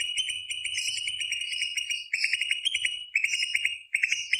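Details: Continuous, dense greater green leafbird song, a fast rolling stream of bright trilled and chattering notes with overlaid higher twitters and hardly any pause.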